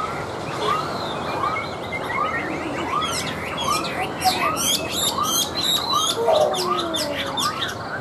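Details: Caged, hand-tamed Chinese hwamei singing on a tabletop: repeated rising whistled arcs, then a richer burst of varied whistles and sharp high ticks in the second half.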